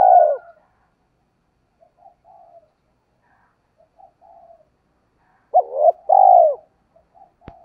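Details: Caged lure spotted dove of the giọng thổ voice calling to draw wild doves; one soft coo ending, then murmured low notes, then a full phrase of two quick notes and a long coo, ending with a click.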